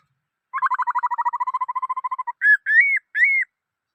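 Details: A black-throated laughingthrush sings a fast, steady trill of about twenty repeated notes. Three clear slurred whistles follow, each rising then dropping. The background is silent.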